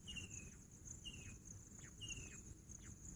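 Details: Three short trilled whistles from a bush quail, each dropping a little in pitch, spaced roughly one second apart against continuous shrill insect noise and low rumble.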